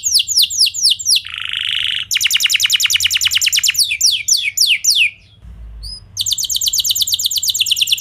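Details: Canary song to spur other canaries to answer: sweeping whistles, a harsh buzzy note, a fast rattling trill, slurred descending notes, a brief gap with faint chips, then another quick high trill.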